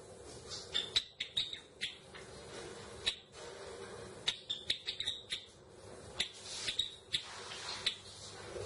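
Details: Java sparrow song: sharp clicking chips and tinkling, bell-like notes, sometimes doubled, in quick irregular bursts throughout, over a faint indoor hum.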